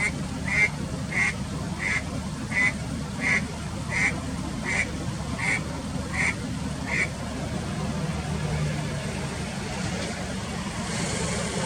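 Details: Eastern spot-billed duck, alone, late March 2021, unusually calling, perhaps seeking a partner after failing to pair: ten short nasal notes repeated about every 0.7 seconds, then stopping, over steady low traffic-like rumble.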